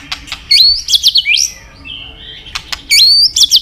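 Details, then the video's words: White-rumped shama in full, varied song; loud whistled phrases with sharp upward and downward sweeps, bursts at the start and end separated by a quieter stretch, faint background hum. "Murai batu gacor isian super lengkap"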